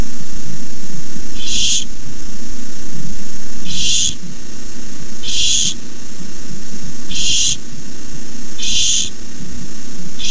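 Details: Barn owl at its nest begging when a rat is brought in, recorded 29 May 2015: five harsh, hissing screeches, each about half a second, repeated roughly every 1.5 to 2 seconds over a constant low rumble.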